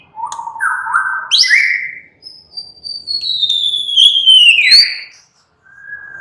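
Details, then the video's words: White-rumped shama, a captive songbird singing relaxed, lively song: low stepped whistles, then a long pure descending whistle gliding down, ending with a steady soft whistled note. "murai batu sudah ikut NYRECET GACOR dengan kicau Santai Murai batu ini"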